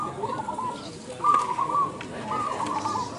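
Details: Contest zebra doves in Indonesia give a few ringing coos, one louder bubbling phrase standing out midway, while other competing birds coo more quietly around it and faint voices murmur.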